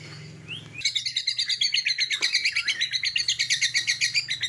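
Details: White-rumped shama song showing its filler notes: a soft rising whistle, then a loud burst of rapid chattering notes repeated nearly three times a second in a steady stuttering rhythm.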